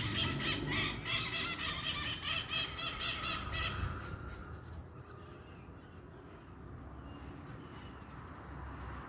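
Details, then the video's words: A large flock of maritaca parrots at dusk, Pirassununga, São Paulo state, Brazil, 11 April 2024: overlapping raucous squawks pour out rapidly for about four seconds, then fade to near quiet, leaving a low rumbling background. "Entardecer com muitas maritacas"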